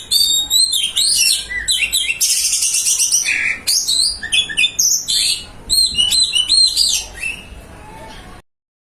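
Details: A white-breasted Oriental magpie-robin sings a full, varied song: loud clear whistles, rapid trills and a dense buzzy burst, with repeated chirping phrases ending abruptly.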